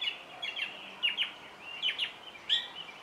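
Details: Singing song thrush repeating short, sharp, high double notes several times in quick succession, each pair crisp and clipped, with quiet noise behind.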